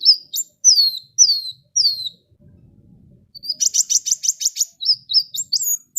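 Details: Sunbird (kowul) singing actively, a recording used to lure other birds into song: a string of high, sharp, downward-slurred whistles, then a fast buzzy trill of rapid repeated notes and more quick chirps. A brief low rumble sits between phrases.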